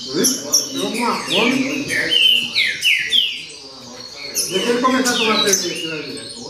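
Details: Baderna song of a green-winged saltator: several downslurred whistles in quick succession, a quieter gap, then a busier burst of mixed whistles and clicks, with faint low chatter throughout.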